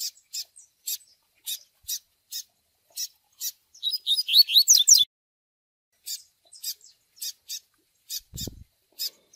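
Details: Double-collared seedeater chick calls and Tui Tui Zel Zel song for training a male: rapid, uneven high chirps throughout, with a loud cluster of swift sweeping whistled notes around the middle; a brief low thump near the end.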